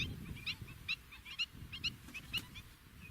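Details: Fork-tailed drongo in natural African habitat uttering short, clipped, squeaky upslurred notes, several close together and roughly twice per second, over faint low background noise.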